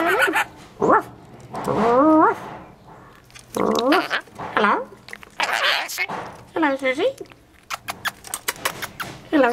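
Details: A Scaly-breasted Lorikeet, a female about 7 months old, gives short, hoarse dog-like barks mixed with bending, squeaky chatter, while a person repeatedly greets it and asks for kisses.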